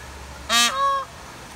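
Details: A peahen gives a single blaring honk rich in overtones. It slides straight into a quieter, level, sustained note that ends with a slight upward lift, in about half a second.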